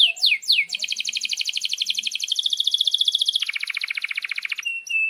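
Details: Canary's long rolling 'gacor' song, used as master song for young canaries: three falling sweeps, then a sustained rapid buzzy roll that steps down in pitch midway, ending with short whistled notes.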